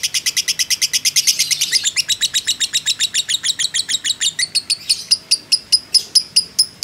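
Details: Long ngekek of a fighter lovebird for stirring other birds: a fast shrill rattle that gradually slows, ending as separate ringing chips spaced about a third of a second apart.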